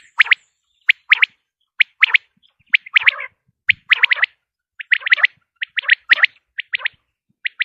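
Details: Common quail calling, from a sound recording offered for luring quail when hunting: short, sharp, clipped notes bunched in quick groups of two or three, repeated about every second, with some overlapping, fainter bursts and a quiet background.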